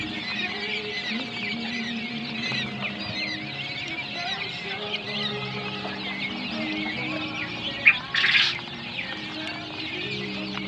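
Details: Quail chicks aged fourteen days chirping together in a busy, unbroken twittering chorus of short high peeps, with a steady low tonal hum beneath and a brief louder rustling burst near the end.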